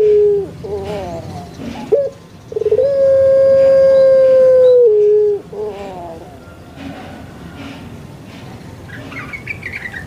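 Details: Caged puter pelung Barbary dove from Indonesia: wavering, gurgling opening notes, then a very long, loud, steady coo of about two seconds that drops at the close, followed by quieter background noise.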